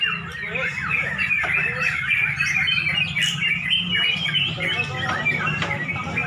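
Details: At a dusk bird song contest in Pemalang, Indonesia, sooty-headed bulbuls sing over one another in a busy chorus of quick chattering, whistled and squawky notes, with a low background hum.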